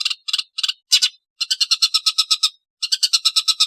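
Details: Long-tailed shrike chattering in grating, buzzy bursts: short clusters of rasps, then two long, evenly paced runs of scratchy notes separated by a brief pause.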